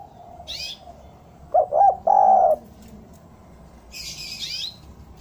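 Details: Spotted dove song used as a lure recording to draw wild doves down: one phrase of two quick coos, a long drawn coo and no final note, low and mellow, with faint high chirps from other birds before and after.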